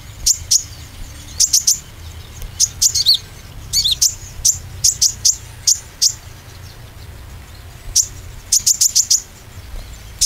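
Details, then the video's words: Oriental white-eye, played as a lure to stimulate singing: repeated bursts of two to four piercing high chips every second or so, with a low hum underneath. "pancingan konin ‼ khusus konin ijoan dan trotol supaya bermental"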